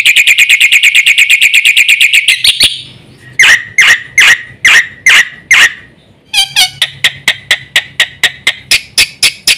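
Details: Vigorously singing black-winged myna with full fill-in song, used as a training tutor: an even, rapid chirp series, then several separate loud rasping notes spaced about half a second apart, then a quicker run of clipped chirps.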